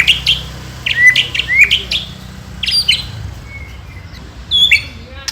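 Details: White-rumped shama song played to provoke rival shamas: short bright whistled phrases and sharp high chips, some rising, others flat, scattered in quick bursts with brief pauses, over a low steady hum.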